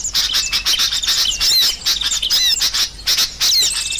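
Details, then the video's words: Sooty-headed bulbuls calling noisily as a trapping lure: rapid bursts of high, piercing chirps and short downslurred whistles, several birds at once, pulsing on and off every half second or so. "Suara Burung Kutilang Ribut Paling Ampuh"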